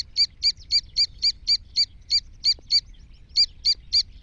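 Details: Iranian black francolin calling with a steady string of high, piercing chirps, about four each second and evenly spaced, one brief gap near the end, against a quiet background.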